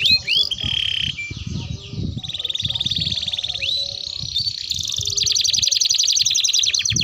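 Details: Canary used as a lure and tutoring model for young birds, singing steady buzzy rolls at varying pitch, interrupted by rising sweeps, ending in a fast pulsed trill; low murmuring background noise.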